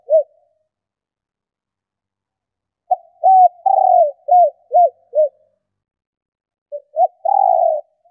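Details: Female spotted dove luring males with repeated cooing phrases. Each phrase is a brief pickup note, a coo, a long rolling falling note, then three short arched coos. The phrases are separated by silent gaps of a second or more.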